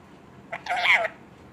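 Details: An Indian parrot imitating Punjabi speech: a short lead-in note followed by a sustained, wavering spoken phrase about half a second long.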